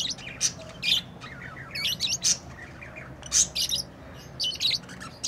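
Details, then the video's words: Tamed pet lovebirds chirping: bursts of sharp, high squawky chirps and short warbled notes, loosely spaced about every second, with a steady low hum behind them. "Love birds beautiful Love ❤️ | chirping sounds"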